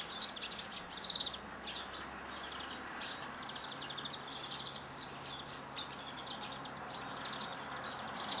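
Eurasian tree sparrow giving short, high chirps, about two or three a second, over a steady background hiss and other distant bird twitters.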